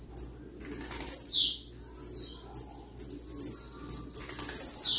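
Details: Blue-black grassquit singing a lot to provoke other birds and for song training. Thin, very high notes come at steady intervals about every half second, mixed with buzzy descending bursts.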